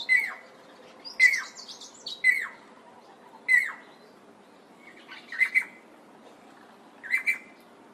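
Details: Klaas's Cuckoo, a southern African cuckoo, gives clear, plaintive whistled notes that slur down and repeat about once a second, over high twittering from other small birds.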